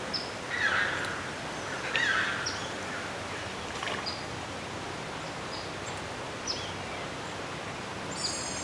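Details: A Red-shouldered hawk (Buteo lineatus) gives two harsh, scratchy screams about a second and a half apart, over steady background hiss with faint high chips from small birds.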